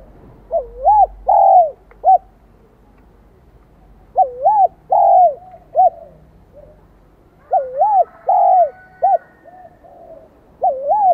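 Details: Vietnamese spotted dove of the high-pitched 'son' voice type, starting up its song: three phrases of wavering double coos, a longer falling hoot and short trailing notes, spaced a few seconds apart.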